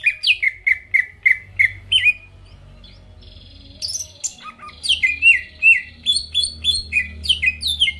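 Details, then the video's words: Greater green leafbird song to trigger rivals: a row of evenly spaced downslurred whistles, a short pause with a thin buzzy tone, then renewed quick whistled phrases. "PANCINGAN CUCAK IJO GACOR BUKA PARUH BIKIN LAWAN CEPAT ON LANGSUNG EMOSI DENGAR SUARA INI"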